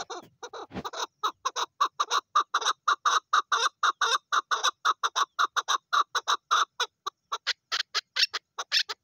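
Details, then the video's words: A female chukar gives a long run of rapid, evenly paced chuck notes, hoarse and harmonic-rich, slightly accelerating before turning higher and harsher toward the end. "Female Chukar Calling"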